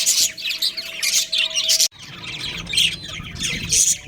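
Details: Pet budgerigar breeding pair chirping at home: bright, harsh warbled bursts repeated every half second or so, with a steady low tone in the first half and a faint low rumble afterwards.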